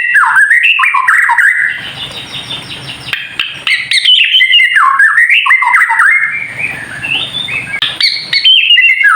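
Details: White-rumped shama singing a kretekan-style song, used to provoke other birds into singing: a loud, unbroken stream of rapid varied whistles that rise and fall, broken by buzzy, rattling stretches, with a faint steady high tone behind.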